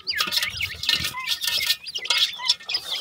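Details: Grey francolin chicks give sharp, high squeaky chirps in quick bursts, mixed with pattering and scratching noises close by.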